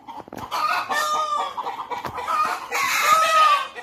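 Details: At Deokso Natural History Museum in Korea, several noisy chickens call over one another: harsh, overlapping clucks and a drawn-out, wavering rooster crow near the end, with no pause between the calls.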